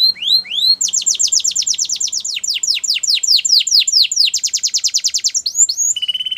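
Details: Russian canary singing in flute style: a few rising upslurred notes open into a long, fast run of high downslurred notes, ending on a steady, flat whistled tone.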